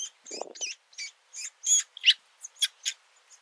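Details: Woodpecker nestlings poking their heads out of the nest for the first time to be fed; a series of short, high, scratchy chirps repeated irregularly, with a brief low rustle near the start.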